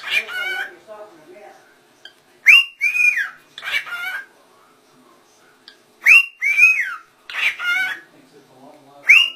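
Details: Talking ring-necked parakeets, said to say "Allah" distinctly. A scratchy, whistled phrase of rising then curling syllables repeats three times, roughly every three and a half seconds, with short gritty chatter in between.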